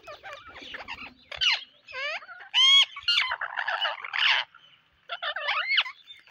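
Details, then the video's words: Rainy-day parrots giving loud, ringing squawks with strong overtones, some sliding and wavering, in dense clusters separated by a brief quiet gap. "A Rainy day with Parrots"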